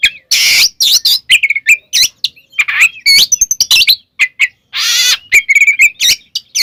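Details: Kept white-rumped shama pouring out a varied song to provoke rival shamas: quick whistles and warbles broken by two loud, harsh, buzzy bursts, delivered almost without pause.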